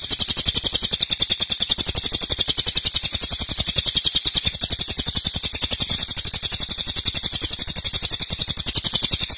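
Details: Cililin pouring out a loud 'nembak' song of long duration: a continuous buzzy-sounding rattle of very fast, high, sharp pulses, barely varying in strength.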